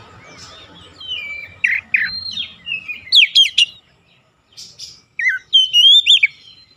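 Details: Magpie-robin challenge song aimed at provoking other oriental magpie-robins: a wavering whistle, harsher chattering notes, a burst of sharp high chips, a pause, then a final run of bright whistles.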